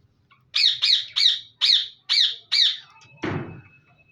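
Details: Six evenly spaced harsh squawks from budgerigars in a breeding colony, roughly three per second, followed by a dull thump.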